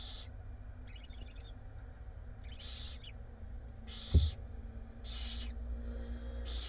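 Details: Six barn owl chicks being fed by their mother in a nest box in Israel: loud breathy hissing screeches repeated roughly every second, a brief rattling chatter, and a short knock partway through, over steady low hum.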